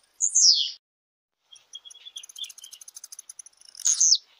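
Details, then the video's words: Blue-black grassquit (tiziu) showing its song types: a sharp, buzzy downslurred note, then a quick run of thin high ticking notes, ending in another buzzy burst. "TIPOS DE CANTO DE TIZIU"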